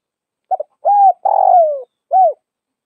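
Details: Spotted dove of the Tây Bắc (Northwest) type giving one full cooing phrase: a quick stuttered double note, a smooth mid-pitched coo, a long rough coo sliding downward, then a short arched closing coo; no other sounds.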